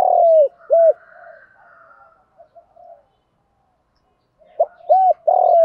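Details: Spotted dove used as a lure, calling: a long coo and short note open the clip, then a quiet gap with faint murmurs, then another cooing phrase starting near the end.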